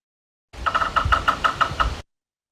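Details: Yellow-bellied Sapsucker, a Kentucky bird, drumming erratically and slowing toward the end: a quick burst of three taps, then about six separate knocks spaced unevenly, lasting under two seconds.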